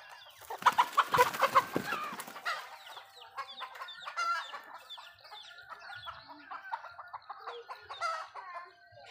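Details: Malay chickens in a backyard eating food; a loud burst of rapid pecking and scratching taps in the first two seconds, then a long run of short repeated clucks and chirps, about three per second.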